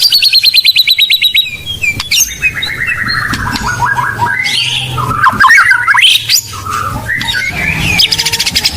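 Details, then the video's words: White-rumped shama, Blorok type, song used as a lure for training birds: a quick high trill, then long sweeping whistled runs and chattering notes with loud crackling clutter. "Murai Blorok Gacor Bongkar isian Pancingan Burung Murai Batu Bahan"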